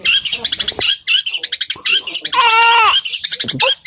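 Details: Long-tailed shrike, a captive cendet, singing in fighting mood: loud dense harsh chattering with rapid scratchy notes and a drawn nasal harmonic wail, continuous and intense, with a few spoken words.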